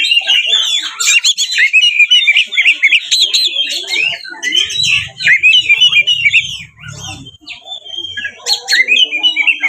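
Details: Oriental magpie-robin (kacer) in full, aggressive 'ngeplong tarung' fighting song used to provoke rival males into singing and fanning the tail; rapid varied whistles, trills and harsh notes between mid and high pitch, with a faint low hum midway.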